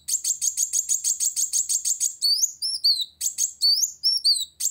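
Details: Purple-throated sunbird singing loudly to challenge a rival: a fast run of about a dozen high buzzy chips, then thin, sharply rising and falling whistled slurs in short bursts, with a quiet background.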